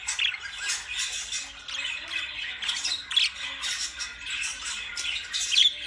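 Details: Loud lovebird squawking, a harsh, high, continuous chatter of overlapping voices that swells into louder bursts about every two to three seconds, with occasional thin whistled notes.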